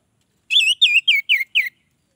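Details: Orange-headed thrush song to attract other orange-headed thrushes: five loud, distinct whistled phrases, each sliding downward, delivered in quick succession before silence.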